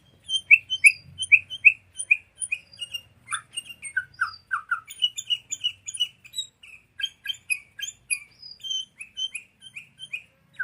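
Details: Lure of sooty-headed bulbul song for tutoring songbirds: fast repeated chirps about three per second, a few downslurred whistles midway, and high squeaks throughout, with a faint low rumble at the start.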